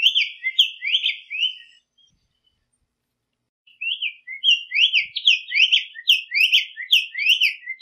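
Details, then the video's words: Wild Black-faced tanager in full song: bright, slurred up-and-down whistles in a quick chattering phrase, a silent pause of about two seconds, then a longer, livelier burst of looping notes, with no other noise. "SANHAÇO COLEIRA CANTANDO MUITO - CANTO DO SANHAÇO COLEIRA NA NATUREZA"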